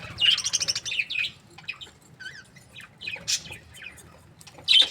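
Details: Budgerigars in breeding pairs, described as happy, chirping: a rapid burst of bright warbled chirps at the start, then scattered short chirps and squeaky notes with quiet gaps, ending in a sharp loud chirp.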